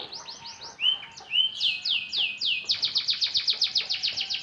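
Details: AF canary practising song after the moult: several arching whistled notes at an easy pace, then speeding into a fast regular run of repeated high notes.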